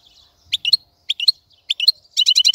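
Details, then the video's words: Goldfinch song with paired sharp chirps repeated about every half second, then a fast run of ringing, buzzy notes at the end. "تغريد طائر الحسون | فيديو رائع لتغريد الحسون"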